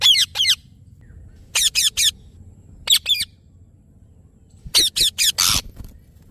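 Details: Ringneck parrot giving harsh, high screeching squawks in short bursts of two to four notes, clustered at the start, around 1.5–2 seconds, near 3 seconds and again near 5 seconds, with quiet pauses between and no other clear sounds.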